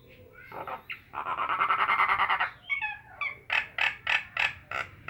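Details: Nias hill myna delivering a long, pulsing buzzy rattle followed by a few gliding whistles and a fast, even series of loud clipped notes.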